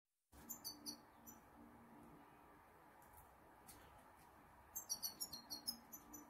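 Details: Two European goldfinches, including a six-year-old moulted bird, twitter in two quick bursts of bright, high, tinkling notes over a steady low indoor hum.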